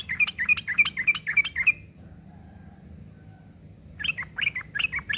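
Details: A yellow-vented bulbul's coarse ngeriwik chatter, recorded as tutor material for long-tailed shrikes; evenly spaced buzzy chirps come quickly for nearly two seconds, then silence, then the rasping series resumes.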